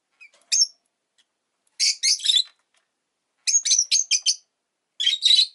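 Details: Pet rosy-faced lovebird chirping in clusters: a single sharp note, then groups of rapid, shrill, raspy chirps delivered in quick runs separated by short pauses.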